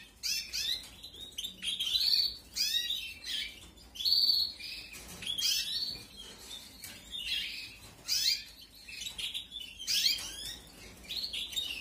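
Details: Canary chicks in a 2021 aviary breeding begging while being fed: a long run of shrill, rasping chirp bursts about once a second, uneven in loudness.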